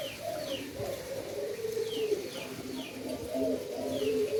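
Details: Endemic Indonesian doves kept for breeding in Indonesia, giving low, overlapping coos that waver and run on without pause, while thin descending chirps from small birds recur high above.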